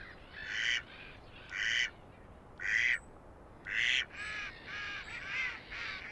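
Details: Spring honking of a Canada goose on a March pond in Belarus, where it is a rare vagrant: rich, nasal honks repeated roughly once a second in a fairly steady series, later calls blending into overlapping honks.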